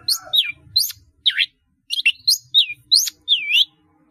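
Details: Caged long-tailed shrike in steady, rich song with many mimicked phrases. High, sharp, looping whistles and chirps come in quick separate bursts, with a short silent gap near the middle.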